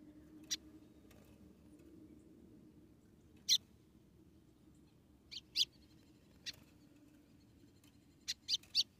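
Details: ['Female white-throated seedeater from Rio Grande do Norte, Brazil, calling to stimulate the male: scattered short, high chip notes, single or in quick pairs, at irregular intervals over a steady low hum.']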